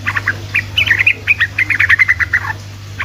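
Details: Sooty-headed bulbul singing in the fast ropelan style meant to prompt silent bulbuls to reply: about twenty quick, bright chirping notes tumbling together, a steady low hum underneath.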